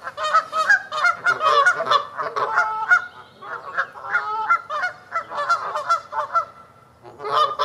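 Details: Canada geese honking to advertise and defend territories, in flight and just before taking flight: loud, nasal honks in overlapping bursts, several birds calling at once in a rapid, irregular chorus of about three honks a second.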